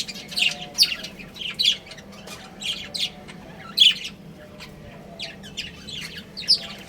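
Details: Budgerigars from a breeding pair chirp and squawk in short scratchy bursts roughly every half second to second, some notes sharper and louder, over a soft steady background hum.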